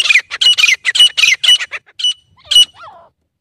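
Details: Loud, grating notes of a grey francolin come in quick succession, slowing toward the end and finishing with a softer, curving chirp.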